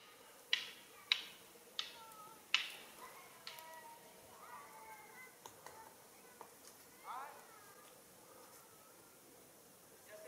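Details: A Magellanic woodpecker family with its chick in Tolhuaca National Park, Chile, in January 2020: five sharp, loud strokes about a second apart, then softer nasal, squealing notes and a wavering mewing call near the end.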